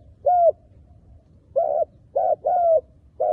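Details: Spotted dove used as a lure bird for trapping wild doves: low hollow coos around 600–700, some notes sliding slightly downward, delivered in short bursts with pauses, a quick double note near the end; quiet background.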